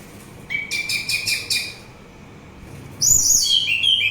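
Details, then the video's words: Song of an orange-headed thrush used to attract birds: a rapid series of about five buzzy repeated notes, a pause, then a high descending warbled phrase, with a faint steady background tone. "Begitu Syahdu Suara Anis Merah"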